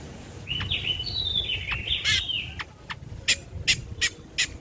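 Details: Ruby-throated bulbul played as tutor audio for birds: drawn-out whistled notes gliding and wavering, followed by scattered sharp chirps, with noticeable background hiss.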